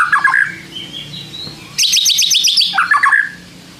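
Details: White-rumped shama lure song meant to draw a reply from quiet shamas: a brief twittering phrase, a soft level whistle, then a fast, high stuttering trill ending in lower chattering notes.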